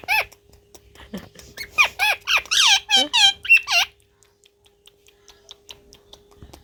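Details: Parrot said to be talking gives a rapid run of about nine curved, harmonic-rich syllables in just over two seconds, then falls quiet apart from soft clicks and a low steady hum.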